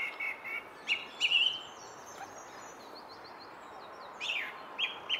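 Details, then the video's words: Song thrush singing by the Henry Moore sculpture: short, clear whistled phrases, the opening phrase given twice, then a faint high twittering run and further brief repeated notes, over a steady background hiss. "More song from the Henry Moore thrush"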